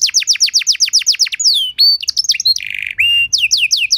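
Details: Canary master song to train other canaries and make them respond: about a dozen rapid descending whistles, a long clear slur, a rough rolling buzz, then more quick sweeping notes.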